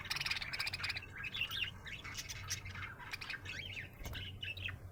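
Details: Happy budgerigar chirping with harsh, buzzy squawk-like notes at the start, then wavering warbled chirps and clicks continuing throughout over a low hum.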